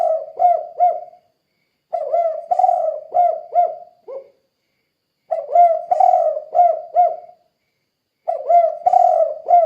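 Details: Lure recording of a vigorously calling spotted dove, 'kuk 2' style: repeated phrases of soft, throaty coos, several quick notes each, with pauses of about a second between phrase groups.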